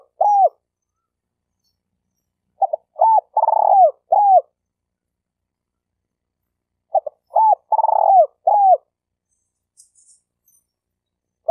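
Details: Spotted dove kept as a lure for trapping, Malaysia: two identical phrases about four and a half seconds apart, each with clipped notes, a hooked coo, a throbbing long coo and a closing curved note. Faint clicks follow.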